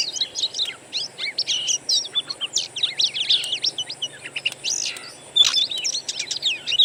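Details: Oriental magpie-robin lure: wild bird voices in quick chattering bursts of upslurred and downslurred whistles, a louder sharp phrase near the end, constant faint hiss.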